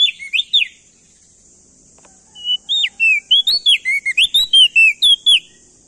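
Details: Male ashy tailorbird from Nusa Tenggara, a loud lure song meant to stimulate other birds into singing: two brief slurred whistles, a pause, then a rapid run of loud, clear, swooping whistled notes, some rising, some falling.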